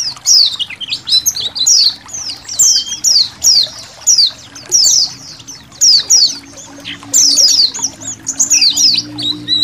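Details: Indonesian white-eyes in a colony, a training recording for songbirds set against trickling water: clusters of sharp, high falling chirps in repeated bursts, with a faint low hum.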